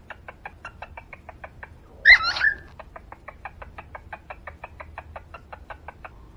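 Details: A male cockatiel serenades a female cockatiel with a loud, warbling whistled phrase over steady, rapid ticking.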